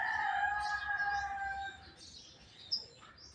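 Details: Javan myna talking and coughing: steady harmonic whistled tones, one low and one higher held together for about a second and a half, then fading into soft scattered high notes over a rough low background hiss.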